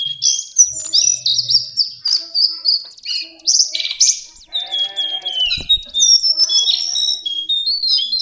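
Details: Lesser shortwing song as a training recording: a rich, high-pitched warble of varied whistles, downslurred notes and quick trills running almost without pause, with one brief low knock in the middle.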